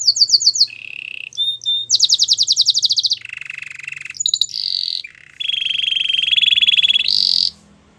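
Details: Belgian canary singing a powerful training song: rapid trilled phrases that switch every second or so between high buzzy rolls near the top of the range and lower sustained rattling trills, ending on a bright high burst.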